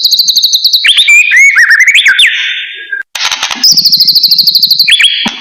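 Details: Caged white-rumped shama of the blorok type singing a varied practice song used to train other birds: rapid high trills, slurred whistles and buzzy notes, with a brief pause near the middle.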